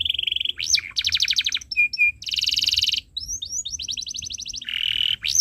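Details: Canary singing as a tutor recording for young birds, quick alternation of steady buzzy trills, rapid rattling series, short clear whistles and rising swept notes, each phrase lasting under a second.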